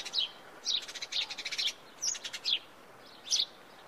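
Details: House sparrow song made of loud, high chirps, a rapid burst of several notes followed by spaced single chirps, with light crackling noise behind.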